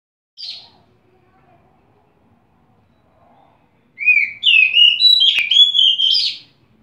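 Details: Oriental magpie-robin (kacer) singing: a brief high chip, a pause, then a rich whistled phrase of quick sliding notes, rising and warbling between clear and slightly buzzy tones, lasting about two and a half seconds.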